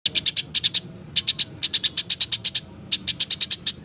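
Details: Sparrows fighting before dusk, with rapid, sharp, high chirps in tight bursts of four to eight notes separated by brief pauses.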